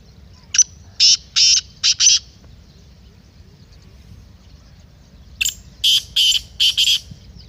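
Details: Black francolin voice, used to get a kept francolin calling. Two separate phrases of harsh, buzzy, rasping notes: five clipped bursts, a pause of about three seconds, then five more bursts in an uneven rhythm.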